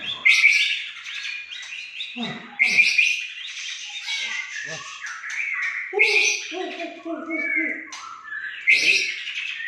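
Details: White-rumped shama of the Aceh type giving a loud, varied song of high whistled phrases and harsh buzzy bursts, with lower chattering notes near the sixth second and faint voices in the background.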